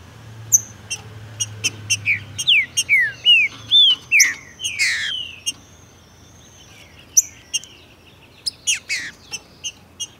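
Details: Male green-winged saltator in Brazil, singing to set off another bird's song with a female nearby, in tournament and breeding season: quiet chips, then a run of loud slurred whistles, falling and rising, then more scattered sharp chips.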